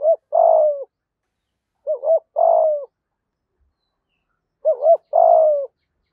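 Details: Spotted dove decoy singing 'giọng thổ' to lure wild doves: three evenly paced phrases, each a twin short coo followed by a long falling hollow note, about two seconds apart, in a clean recording.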